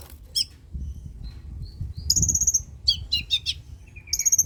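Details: Long-tailed shrike song as a lure for silent shrikes: a harsh chip, soft thin whistles, then bright high whistled notes and quick descending chattering phrases, with low muffled thumps underneath.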